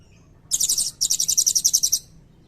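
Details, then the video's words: Blue-crowned hanging parrot delivering a brief high trill, a short pause, then a longer run of about twelve evenly spaced shrill notes, sung as cililin-style filler and used to tutor magpie-robins and kacer. "Burung Serindit Gacor Nembak Isian Cililin Panjang"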